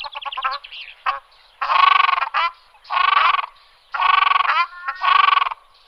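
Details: Ruddy shelduck calling: harsh, nasal honking bursts about half a second long with a rough, buzzy tone, given in quick series with short pauses, preceded by several rapid clipped notes.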